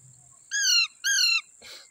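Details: Indian ringneck parrots, including a baby, together on green grass give two loud grating screeches of equal length, each slightly arched and dropping at the end, followed by a soft rustle.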